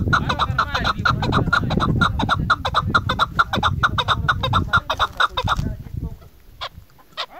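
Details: Female chukar partridge giving a long run of quick, sharp chuck notes at a steady, rapid rhythm with low background noise, then fading to quiet with a couple of isolated notes near the end.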